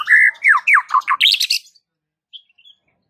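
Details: A white-rumped shama gives rich, loud whistled phrases dropping in pitch, then a fast buzzy flourish, followed by near silence; this song is claimed to get local shamas singing in response.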